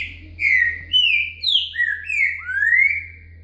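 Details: A green-winged saltator sings in the Boca Mole style with a virada, giving six clear whistled phrases in quick succession that alternately rise and fall, in a quiet background.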